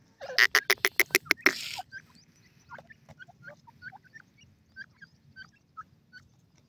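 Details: A partridge (jungle francolin) feeding in a forest opens with about six loud, harsh, rasping notes in quick succession, then goes on with soft, scattered chirps and squeaky whistles.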